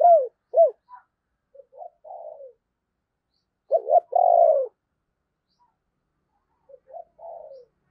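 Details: Decoy spotted dove with a 'thunder voice' style, calling to lure wild doves: low coos in clusters, two short hoots then a drawn-out falling note, with quieter soft coos between phrases and a silent background.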